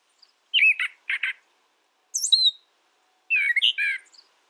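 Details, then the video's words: Brown thrasher giving short clustered phrases: a warbled note and two rasping notes, a high squeaky slur, then a complex chattering phrase, with clean silence between. "Brown Thrasher Bird Sound, Bird Song, Bird Call"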